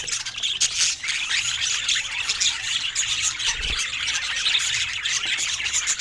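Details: Rare colour-mutation budgerigars filmed under Scandinavian daylight chatter nonstop: a high, buzzy warble dotted with clicks and brief squawks, many overlapping voices, and a single soft low thump midway.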